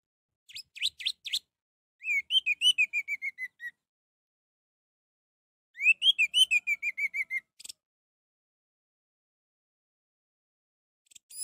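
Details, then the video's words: Orange-headed thrush song for provoking a quiet bird to sing: short sharp notes, then two descending series of clear whistled notes, each about a dozen notes long, separated by a pause. "Untuk memancing Anis merah yang malas bunyi"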